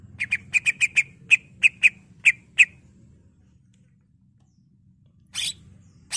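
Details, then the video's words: A greater green leafbird in full song gives a quick series of about ten sharp, high chirped notes over roughly two and a half seconds, then pauses before brief harsh bursts; used to prompt other leafbirds to sing and fight. "Cucak Ijo Gacor"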